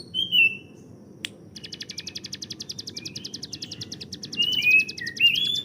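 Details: Hill prinia master bird for training songbirds, its 'tembakan' likened to an AK-47. After a click, a rapid rattling train of high notes runs to the end. Other birds' loud rising whistled slurs overlap it.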